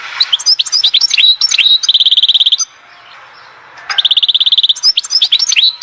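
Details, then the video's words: European goldfinch at Oued Zhour, Skikda, delivering tinkling twittered phrases that break into fast, regular strings of high metallic chips, with a brief quiet gap before another rattling burst and more twittering. "تغريد حسون"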